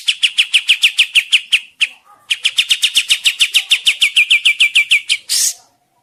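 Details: Kapas tembak bird with a fast, lively song for trapping lures in the forest: two long runs of sharp, high, evenly repeated chips, about three per second, ending in a brief harsh burst.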